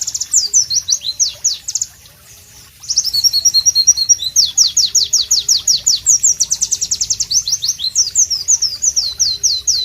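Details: A White-eye (pleci) sings loudly and sharply, a masteran song of fast high descending whistled notes in long rhythmic runs, broken by a brief pause near two seconds, then resuming with denser rapid trills.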